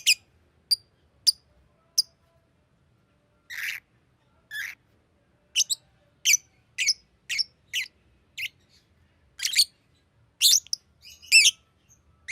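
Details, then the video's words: Green lovebird giving scattered sharp high chirps and short raspy squeaks at irregular intervals, separated by silent gaps. "Green Lovebird Chirping Sound"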